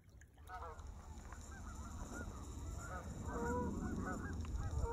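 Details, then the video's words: Waterfowl flying off into the sunset over a frozen winter marsh give a chorus of short honking calls, several birds overlapping at a quick, uneven pace, over a steady low rumble of wind. "the sights and sounds of waterfowl flying off into the sunset"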